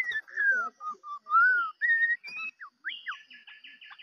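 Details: White-rumped shama decoy bird singing loud, clear, fluting whistles that slide down and up, followed by short rising notes and a rapid trilled ending.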